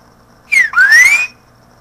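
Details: Green-winged saltator singing to teach chicks: a loud whistle sliding downward, then a long rising whistled note, rich and clear, about three-quarters of a second long, over a low steady hum.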